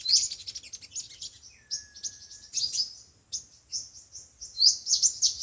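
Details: Piercing, high-pitched chirps and slurred notes from five- and seven-colored sunbirds, used as loudspeaker lure audio for catching birds, with a thin, steady lower whistle in the middle and a dense burst at the close.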